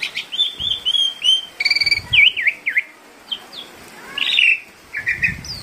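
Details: Asian pied starling, tame and talkative, kept as a lure for other birds: clear whistled slurs, a trio of V-shaped whistled notes, a harsh chattering burst and short rising whistles.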